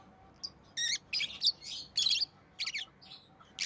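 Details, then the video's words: Rosy-faced lovebird giving loud, harsh, buzzy chirps in uneven bursts, a few lasting nearly half a second, with quieter squeaks between. "Rosy Faced Lovebird Chirping Sounds"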